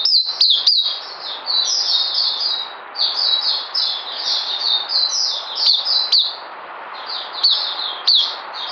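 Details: Oriental white-eye, called puteh, singing a long, fast jumble of high squeaky twitters, with sharp clicks at the start and scattered through the flowing phrases.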